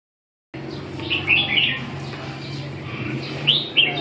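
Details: Red-whiskered bulbul singing in short, bright warbled phrases, one burst near the start and another near the end, separated by a pause, over a steady low hum.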